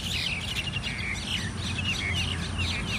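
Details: Mynas fighting as a gang: loud overlapping chatter with sharp downward-slurred whistles repeating through the stretch, against a constant low rumble.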